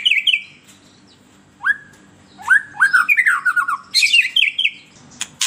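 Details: White-rumped shama song used as a lure for captive birds: loud, varied whistled phrases with sliding and stepped notes, bursts of rapid warbling separated by short pauses, over a faint low hum.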